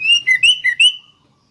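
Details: Sooty-headed bulbul singing as a lure to set other bulbuls calling: five loud, clear, liquid whistled notes alternating higher and lower in a rapid bouncing phrase lasting about one second, then silence.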